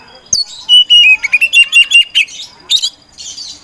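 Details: Oriental magpie-robin of the poci type, a songbird kept by hobbyists and entered in contests, singing loudly as a provoker to make sluggish birds sing: a rapid run of bright whistled notes, sharp chirps and buzzy squeaks.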